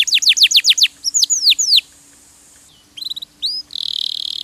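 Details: Canary (kenari) singing for song training: a string of quick downslurred notes and sweeping whistles, a short quiet pause, then clipped high chirps and a steady buzzy trill.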